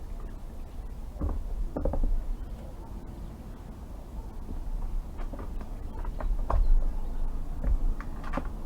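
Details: Steady low rumble with scattered knocks, clicks and creaks, and no animal calls heard.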